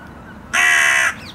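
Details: Carrion crow in a park, shouting noisily while being fed cashew and Brazil nuts; one loud, harsh, harmonic-rich caw held about half a second over quiet background.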